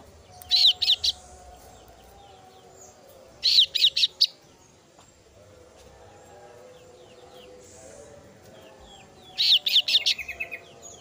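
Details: Young female kasu-kasu bird calling for its parent, giving three bursts of rapid, high, ringing chirps about three seconds apart, each burst a tight run of three to five notes over a soft background.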